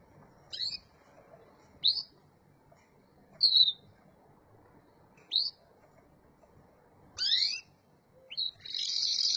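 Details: Local canary producing short, sharp, upswept whistled notes spaced one to two seconds apart, then a brighter rising slur leading into the start of a dense high trill; quiet background.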